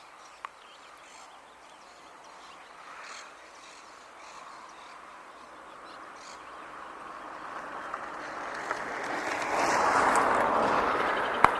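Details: Rufous hornero (Furnarius rufus) in an urban setting in Uruguay: song, a fast, loud run of harsh, ringing notes that swells toward the end over steady background hum.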